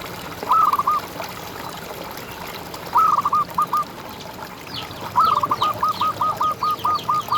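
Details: A champion local zebra dove sings, a contest bird meant to rouse silent or stressed doves. Short cooing phrases start with a rising note. The last stretches into a long run of about ten evenly spaced clipped coos, with faint high chirps behind.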